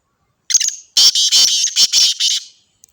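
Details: Black francolin from Sindh, Pakistan, recorded 29 March, giving a loud, rasping, high call: a brief scratchy note, then a rapid series of about six harsh, buzzy syllables, very close and distorted.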